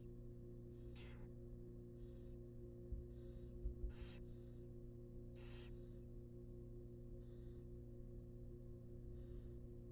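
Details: Wild barn owl nestlings in a monitored nest box, receiving a rabbit, make short, scattered breathy hisses at uneven intervals. A steady low hum and a few soft knocks are also heard.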